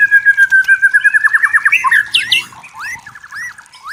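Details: White-rumped shama in forest, clear natural song: a fast pulsing trill accelerating into a twisting flourish, then quieter looping whistled notes.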